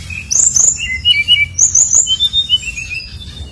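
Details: Brown-chested jungle flycatcher in lively song used as a lure to set other birds singing: a series of clean high whistles, short slurs and upward sweeps, delivered in quick phrases over faint low hum.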